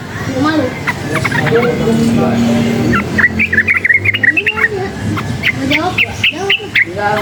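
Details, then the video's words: Wild yellow-vented bulbul, said to grow more excited by surrounding noise, singing rapid bursts of short whistled and bubbly notes, dense in the second half, over a steady low hum, rumbling background noise and faint voices. "suara bising menambah EMOSI burung TRUCUKAN ini | trucukan ngalas gacor nembak ropel uplik uklik"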